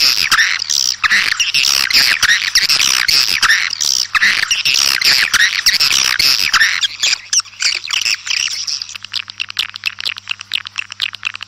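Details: Swiftlets calling outdoors to gather the flock chatter in a dense, high-pitched twittering, many rapid chirps overlapping for about nine seconds before thinning out, over a faint low hum.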